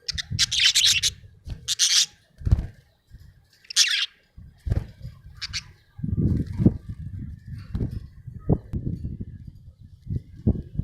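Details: Happy budgerigar letting out several quick, grating high chirps in the first four seconds, then quieter, with rustling and low knocking sounds through the rest.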